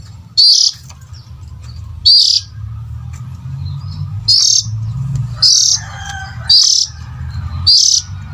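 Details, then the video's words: Harsh rasping notes of an oriental magpie-robin, a call meant to draw in adult birds. Six short buzzy bursts come at uneven gaps of one to two seconds, with a low background rumble and faint softer tones midway. "Pancing indukan burung kacer"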